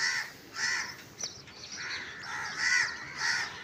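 A crow gives harsh, hoarse caws in quick succession, about two per second with short pauses between bursts.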